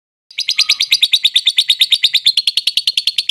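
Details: Lovebird song meant to trigger a quiet lovebird into singing: a steady, rapid, harsh chattering trill of evenly spaced buzzy notes, roughly eight per second, loud and sustained throughout.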